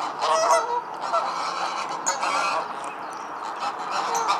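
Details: Wild greylag goose flock on a nature-reserve lake near Grimethorpe, South Yorkshire, England, calling nonstop: loud nasal honks and raucous cackling overlapping throughout, louder at the start, with no other clear sounds.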